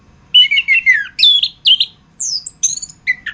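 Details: Anis kembang, the chestnut-capped thrush Geokichla interpres, in a master recording used to train songbirds: a series of separate clear whistled notes, first a falling run, then sharp rising and high thin whistles. Background otherwise quiet.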